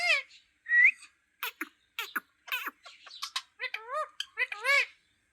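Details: A talking green parrot produces a brief whistle, then clicking sounds and a series of rising, arched, voice-like syllables that grow louder towards the end.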